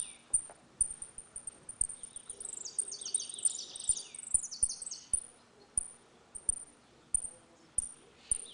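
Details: Saffron finch in a song dispute, 'retinido' style for tutoring young birds: repeated sharp high chips framing a softer mid-clip run of fast ringing trills, fairly distant, with light background noise and clicks.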